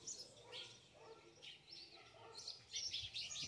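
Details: A lively, singing ultramarine grosbeak gives quick, high chirped and warbled notes in short bursts, a little over two per second, over a faint background hum.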